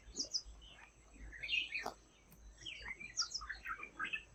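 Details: Tickell's blue flycatcher in Indian forest canopy gives high, thin chirps and short tinkling phrases in irregular bursts, with one quick falling note, over faint background hiss.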